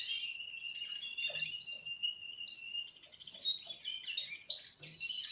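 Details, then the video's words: Young Russian canary, four months old, singing continuously: sustained whistled notes and rapid warbled trills shifting between higher and lower pitches, with a steady low tone held for about a second, all high-pitched and clear. "Kanarki Rosyjskie Śpiew 4-miesięczne/ 4 Months Russian Canary Sing"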